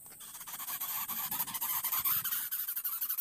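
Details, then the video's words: A baby greater coucal, active and demanding food, gives harsh, hissing rasps in quick, uneven bursts, several each second, with no other clear sounds. "BAYI BURUNG BUBUT MULAI MENGGILA"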